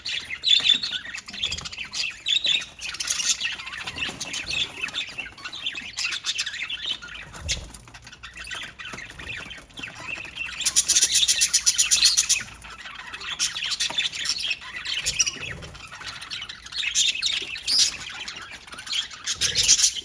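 Budgerigars chatter with rapid, scratchy high-pitched chirps and squawks, rising in intensity at times.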